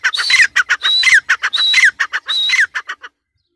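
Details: Female grey francolin gives four loud, harsh phrases in a row, each a high whistled note dropping sharply at the end amid rattling bursts, then goes quiet.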